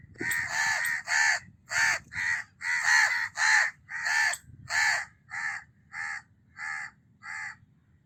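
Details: Repeated harsh caws of a house crow, roughly every half second, loud and rasping at first, then a run of shorter, softer, clipped caws toward the end, with a faint low background hum.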